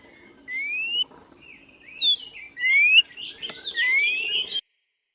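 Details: Black-breasted Oriental magpie-robin recorded in the forest, in full song; a few long rising whistles and one sharply falling slur, spaced about a second apart, over a faint steady high-pitched drone.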